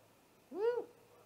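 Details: Great horned owl attacking a great gray owl at its nest, filmed by a live nest cam just after midnight on 30 March 2018: a single short arched hoot that rises then falls, with strong overtones over a quiet background.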